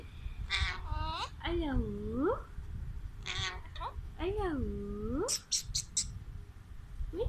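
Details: A pet Alexandrine parakeet talking indoors: nasal, voice-like phrases that swoop down and back up in pitch, two similar drawn-out phrases, ending with a few quick sharp high clicks or squeaks.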